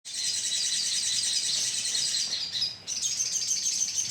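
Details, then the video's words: Colony of sunbirds used as a lure: a dense, continuous wash of very high, thin twittering and chirping from many birds, briefly dipping before resuming strongly. "pancingan suara koloni sogon"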